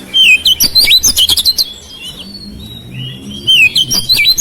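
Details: Oriental magpie-robin, a house-kept bird, singing to prompt silent magpie-robins to sing: loud, varied whistled phrases with twisting, slurred notes and rapid buzzy chatter, pausing briefly midway before another burst of whistles.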